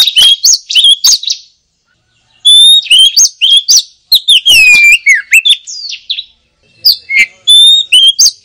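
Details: Oriental magpie-robin, called kacer locally, singing a lively, full chattering song: loud whistled notes, sweeping slurs and rapid twittering phrases in quick bursts with brief pauses, all high-pitched.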